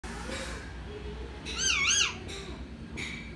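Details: A pet green parrot vocalizing on its own indoors: a short wavering, warbling whistle-like sound with rich overtones, framed by fainter tonal notes amid steady room noise.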